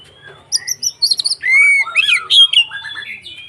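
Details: White-rumped shama fighting song used to provoke other shamas, loud and clear: quick high chips, a long rising whistle, then tumbling slurred notes and a level whistled ending.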